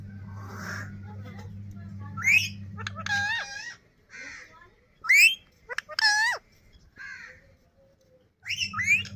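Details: Pet yellow lemon-coloured parrot talking in Urdu and Hindi. It gives a series of harsh, harmonic, squawky phrases in separate bursts, some rising sharply. A steady electrical hum runs at the start and returns near the end.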